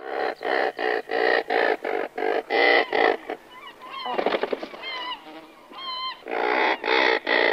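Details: Colony of razorbills, several individuals calling by the nests before taking off. Rough, nasal growls come in a steady string of short bursts, broken midway by a few thinner, bending calls before the growling resumes.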